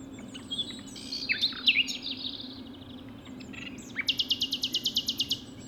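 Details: Common Nightingale singing out in the open very early in the morning at a nature reserve in Sussex; loud varied whistles and slurred notes, then a fast rhythmic series of about a dozen repeated high notes, over a steady low hum.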